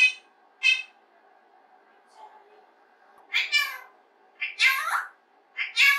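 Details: Pet rose-ringed parakeet alone in its playroom, practising human speech and singing to itself, recorded secretly: scattered short, raspy speech-like syllables and harsh squeaky phrases, with a faint steady hum indoors.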